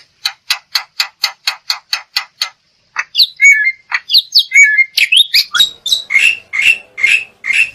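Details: Black-winged myna singing, used to stir other birds into song: about ten evenly spaced harsh ticking notes, then twisting whistles and rasping calls in a busy, jumbled stream.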